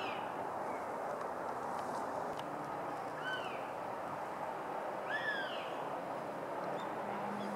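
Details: Female northern goshawk, recorded 20 March 2016: two thin, high, slurred calls, each rising then falling, about two seconds apart, over a steady broad rumble of background noise.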